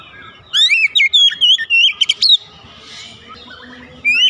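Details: Home cage Oriental magpie-robin, sound used to get a quiet bird singing: a fast two-second string of whistled, slurred notes, then low background noise and a final rising whistle.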